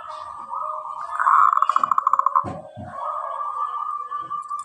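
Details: Local zebra dove singing actively, kept as a singing bird, with a clear voice: a quick run of even, rapidly repeated cooing pulses in the middle, framed by steadier humming coos and a few low knocks.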